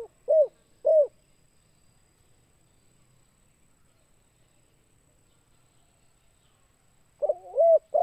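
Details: Spotted dove in a 'kuk 2' lure recording meant to draw in wild doves. Two short, low, mellow coos open the recording, followed by about six seconds of near silence. A rolling, quavering coo phrase returns at the end.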